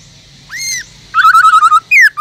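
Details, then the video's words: Caged black-throated laughingthrush singing: one soft arched whistle, then a quick trill of seven rapid bright notes and a final loud descending whistle, rich and ringing. "Khướu bạc má kích trống căng lửa HÓT GIỌNG RỪNG"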